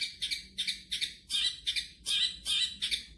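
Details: Long-tailed shrike, a prized champion songbird, gives harsh, scratchy high notes in short bursts, about eight in three seconds, each a rasping double chirp with brief pauses between.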